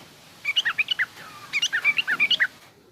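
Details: Yellow-vented bulbul, 'garuda' song style then rough 'ngriwik' chatter, used to train young birds. Two short, rapid bursts of bubbly, bouncing chirps with a faint low hum behind.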